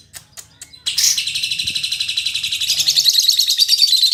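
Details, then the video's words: Female lovebird described as a spirited fighter, singing very actively: a dense, continuous stream of rapid high chirps and shrill trills, after a few brief sharp notes at the start, with low background murmur. "Suara Burung Lovebird Betina Fighter"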